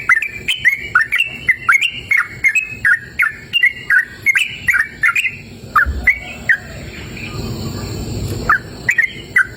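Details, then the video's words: A sooty-headed bulbul sings energetically in cool open countryside, a string of sharp chirps in fast bursts, then a brief lull filled with soft rushing noise before the chirping resumes near the end. "Suara Merdu Burung Trucukan Gacor!"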